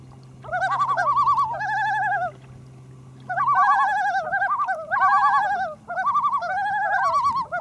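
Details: Common loons on Great East Lake, Wakefield, New Hampshire, recorded from a canoe in the early morning of 1 August 2012 with a Panasonic HDC-TM90: rapid quavering, wavering phrases in overlapping bursts about a second long, with low steady hum beneath.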